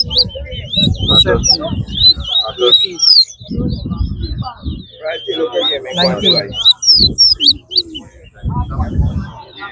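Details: Seed finch (towa-towa) at a bird singing competition at Lamaha Ground pours out a fast, sweet warbling song of high twittering whistles, almost without pause, while a crowd of people count its song aloud.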